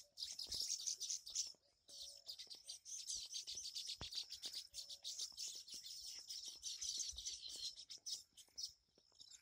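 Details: Baya weaver colony at their nests, over fifty on a single tree in monsoon season: steady shrill, sizzling chatter, with a lower short hooting note heard twice and one sharp click.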